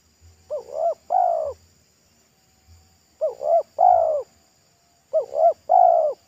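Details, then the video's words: Wild local spotted dove singing at a roadside, its thick, loud voice in the pesom style. Three cooing phrases about two seconds apart, each two short rising coos then a longer, lower drawn-out coo, with faint low thumps between. "TEKUKUR LOKAL RASA PESOM"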